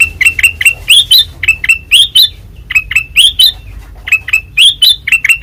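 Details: Ruby-throated bulbul, white-eyed form, singing loudly in ngeplong style: chirps grouped in quick bursts of two or three, each ending in a rising upslurred note, with short pauses between bursts.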